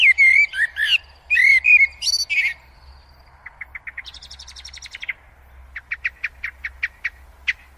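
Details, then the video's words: Common Blackbird song played back: rich fluted, warbling whistled phrases, then a rapid series of thin, repeated high notes and a final run of sharp, evenly spaced chips. "معلومات حول طائر الشحرور الأسود+ تغريد"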